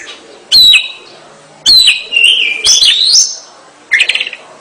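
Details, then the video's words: Oriental magpie-robin song in 'gacor' style: a few separate loud phrases, each a sharp attack followed by a sustained whistle that dips or rises, with a short rough, chattering burst near the end. "kacer gacor"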